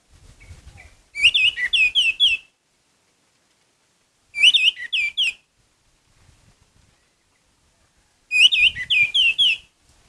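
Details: Orange-headed thrush singing prolifically, meant to stir up other birds: three bursts of rapid, bright whistled notes, each burst about a second long with five or six clipped notes, separated by pauses of roughly two seconds.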